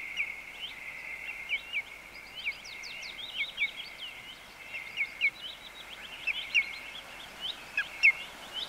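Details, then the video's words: Male common greenshank giving calls and a brief song: clear, ringing notes in short bursts about every second or two, over a steady high whine and soft background noise. "Greenshank. MCU Calls And Brief Song From Male."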